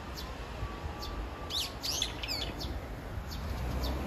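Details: A brown-eared bulbul calls for its mate. A short burst of harsh, descending squeals sounds mid-clip, with faint high chirps and a soft low background drone.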